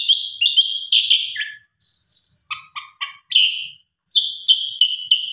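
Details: Female Asian pied starling calling a male: clusters of high chirps and whistles, a few sharp clicked notes dropping low, and brief silent gaps between bursts.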